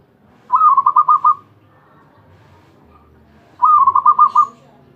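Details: Zebra dove (perkutut) champion, ecek ecek singing, delivers two pulsed cooing phrases of about six bouncing notes each, roughly three seconds apart, with a quiet low rumble between them.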